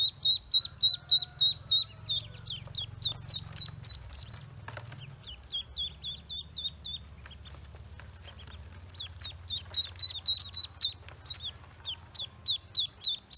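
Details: Farm-hatched Pekin ducklings, just out of the egg, keep up rhythmic shrill peeping, interrupted once by a sharp click and a quieter stretch of softer chirps before loud regular peeps return.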